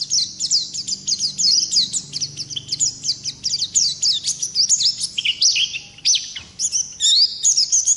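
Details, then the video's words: Ngalas-type Oriental white-eye in full, steady rolling song: an unbroken stream of quick, high, thin chirps and slurred whistles, with a brief dip near the end before the twittering resumes. "Pleci Ngalas Gacor Ngerol Durasi Panjang"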